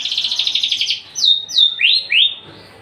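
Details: Singing male Javan bush lark, tame, unringed and kept in a cage. A rapid pulsing buzzy rattle gives way to two clear high downslurred whistles and two rising swept notes, then fades.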